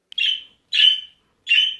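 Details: A budgerigar gives three piercing, scratchy, high contact calls about half a second long and spaced roughly 0.7 seconds apart. These calls mean "I'm here, where are you?" when flock or partner birds lose sight of each other, and are sometimes given in protest.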